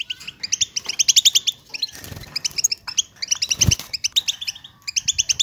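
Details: European goldfinches singing as a group to prompt silent caged birds to sing: bursts of quick, bright tinkling twitters and chirps separated by short pauses, with a few low thumps or flutters.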